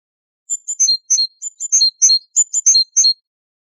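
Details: Great tit, recorded for tutoring songbirds like goldfinches, delivers a fast, jumbled run of very high, sharp chirps and tinkling notes with a few lower ticks, about a dozen elements in under three seconds, on a silent background.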